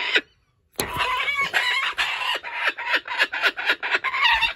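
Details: Laughing kookaburra in a sanctuary, possessive of a joey's toy it grabbed. After a brief gap, a dense, continuous stream of scratchy, chattering notes runs on without a break, fairly loud.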